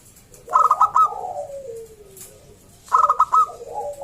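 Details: Local Indonesian zebra dove (perkutut lokal), a loud lively singer used to lure other zebra doves into singing: two bursts of rapid clipped coos, each trailing into a soft falling purr, about two and a half seconds apart.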